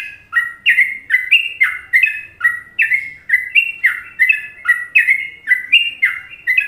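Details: Masteran from Indonesia of a sooty-headed bulbul: a lively run of clear, chirpy whistles that hop between higher and lower pitches, about two per second, giving the cheerful Trucukan lilt. The recording is clean with no other birds.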